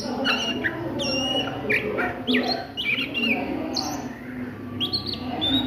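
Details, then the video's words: Ngriwik-style song of an Oriental magpie-robin at midday, with quick high whistles and short slurred upward strokes in loose bursts, plus a faint low hum beneath. "SUARA KACER NGRIWIK DISIANG HARI"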